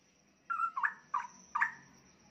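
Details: Captive young straw-headed bulbul, roughly one year old, heard at lower volume against a faint steady hum: four slurred, warbling whistled notes spaced about half a second apart.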